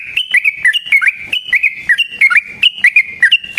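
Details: Sooty-headed bulbul pouring out a dense, rolling chatter of sharp, bouncing notes, about a hundred a minute, a long fighting song meant to lure and provoke other bulbuls.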